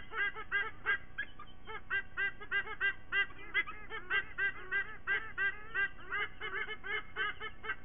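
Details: White-bellied sea eagle family in Sydney, September 29th, the parents calling together to greet the morning: a long, rapid run of honking, laughing squonks, regularly repeated, with a constant low rumble underneath.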